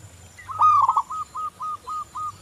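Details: Local zebra dove, song used as a lure: one loud quavering coo with a downward wobble, followed by a string of short, even, level notes repeated about five times per second.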